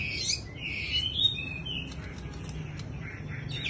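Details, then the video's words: Bush lark in wing-fluttering display song, starting with loud high slurred whistles that give way to quieter scratchy chirps and short buzzy notes, with constant low rumble beneath. "Chòe Đất chơi rung cánh như sơn ca"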